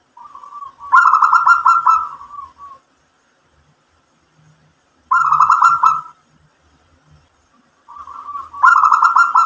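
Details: Local zebra dove in full voice, provoking other doves to respond: three rolling coo phrases, each opening softly then breaking into a loud fast-pulsed trill, with faint low murmurs in the background.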